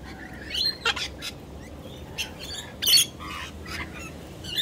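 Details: Sulphur-crested Cockatoos give harsh, raspy squawks in short bursts, about eight in under five seconds, with one louder screech near the middle, over faint background hiss.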